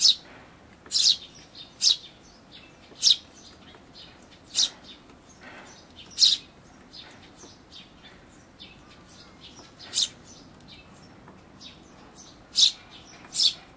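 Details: Eurasian tree sparrow parent feeding chicks at a feeder in May 2013, possibly an old bird with a large black throat patch; loud high chirps come in irregular bursts, some paired, with fainter chirping between them.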